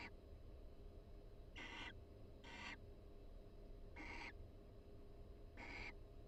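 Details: Soft pair-bonding calls from two barn owls in a nest box at the University of Florida, given while they groom each other; four short hissing, raspy notes at irregular gaps over steady low hum.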